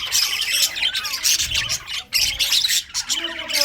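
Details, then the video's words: A group of budgerigars in winter keeps up bursts of shrill chirps and raspy squawks, pausing briefly every second or so before resuming. "winter session Budgies parrot chirping sounds"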